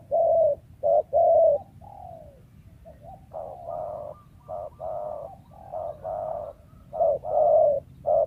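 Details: Wild spotted dove, a favoured voice for lure trapping, giving deep hollow coos in short and long phrases, loud at the start and end with softer, more distant cooing in the middle; the delivery sometimes stutters.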